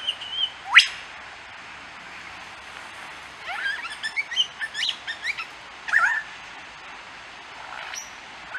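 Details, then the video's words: A lyrebird on the Fitzroy Falls walk, Morton National Park, NSW, on 25 April 2010 sings a varied run of phrases: a clear whistle, sharp rising whip-like sweeps, and quick bursts of chips and twitters, with pauses between. "Lyrebird Singing"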